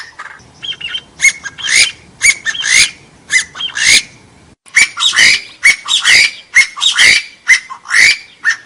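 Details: Partridge calls cleaned of background noise for use in luring forest birds for hunting and trapping: harsh, raspy squawking notes with rising whistled tones, repeated roughly every half second in loose series.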